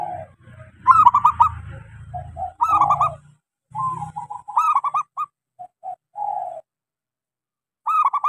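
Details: Zebra dove of local stock, small-voiced, a lure song for silent doves: repeated phrases of staccato notes trailing into mellow coos, about every two seconds, over a low rumbling background noise.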